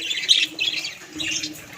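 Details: Pet budgies kept at home, several birds heard: short scratchy chirps and squawks in brief bursts, with quiet gaps between them and a faint low hum indoors.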